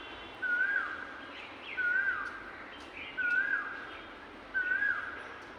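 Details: Cuckoos perched atop a tree in a city. A clear whistled, wavy phrase is repeated four times, roughly every 1.4 seconds, with a faint hum and distant chirps in the background.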